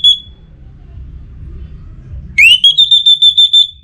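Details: Caged orange-headed thrush, north Bali, in breeding condition and calling to a rival: a brief high whistle, quiet, then a rising note leading into a sustained high pulsed trill of about nine beats.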